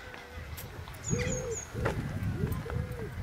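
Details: Spotted whistling duck at WWT Slimbridge: a few short, thin whistled notes high in pitch over a low rumble of background noise and other low-pitched duck or goose sounds.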